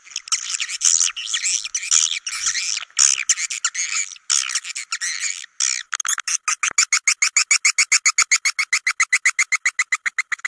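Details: Swiftlet calls played to attract swiftlets into swiftlet houses to stay overnight. Tangled, chattering twitters first, then a fast, even train of clicking buzzy pulses, about four per second.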